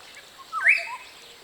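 A Green-headed Oriole gives a single brief, fluty whistled phrase that swoops upward, then a softer low note, over quiet background hiss.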